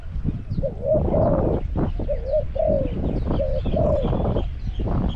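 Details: Caged decoy spotted dove calling to lure wild doves at Song Phi Nong, Thailand: short mellow two-part coos, each rising then falling, over heavy low rumbling background noise.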